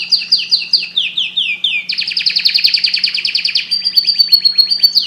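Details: Energetic canary song to encourage breeding: a run of descending whistled slurs, then a long, dense rapid trill and smoother high rolling phrases, all over a faint steady hum.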